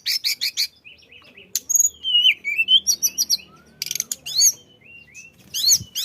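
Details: Tledekan flycatcher in lively song used to prompt other birds to sing: quick buzzy trills open, then slurred whistles sweeping up and down, stuttering high chips and a final rapid rattle, with short quiet gaps.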